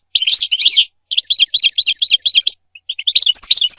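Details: European goldfinch singing, for mating and for teaching goldfinches to sing: bursts of rapid, high tinkling twitters and buzzy trilled notes, broken by short pauses, with a brighter jangling phrase at the end.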